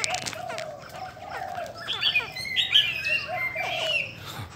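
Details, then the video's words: Female Chinese hwamei in a cage, da bò type, said to rouse male birds; a low mellow note repeated at first, then sharp high whistled bursts in the second half, amid dense chirping from many other birds. "KHƯỚU DA BÒ MÁI SIÊU KÍCH TRỐNG"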